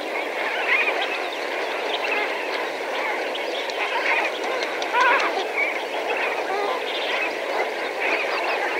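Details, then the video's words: A flock of several thousand Lesser Flamingos gives a dense, unbroken babble of goose-like honks and nasal murmurs, with a few louder calls standing out from the roar. "Lesser Flamingo / MP Flock Calls From Several Thousand"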